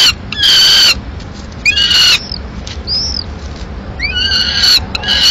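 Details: Peregrine falcon at a nest in Madrid, 15 May 2016, as the male arrives with a still-live swift and the female finishes it off; loud harsh wailing calls in bursts with short gaps between them.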